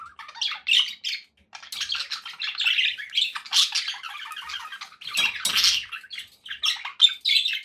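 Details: Companion budgerigars chatter continuously in fast buzzy bursts and sharp squeaks, a dense warbling stream with a few short breaks.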